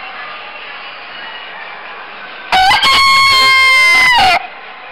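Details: Suffolk Chequer rooster crowing at the National Poultry Show, Telford, England, 15–16 November 2014; after two seconds of steady hall hum, one loud, long harmonic crow with short opening notes and a held, slightly falling final note lasting nearly two seconds.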